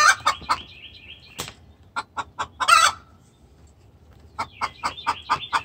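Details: Hen sounding a distress call toward the rooster, mixing bursts of quick clucks with a loud rasping squawk in the middle; thin chirps of other birds run along underneath.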